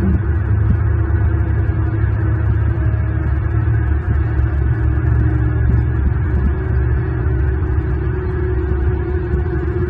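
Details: Sustained, droning organ-like music with a deep steady hum over a live view of Southwest Florida bald eagles, with no bird calls audible.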